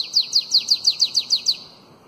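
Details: Nine rapid, high-pitched, down-slurred notes of equal spacing from a bananaquit singing the canto belga alongado, a style meant for teaching young bananaquits.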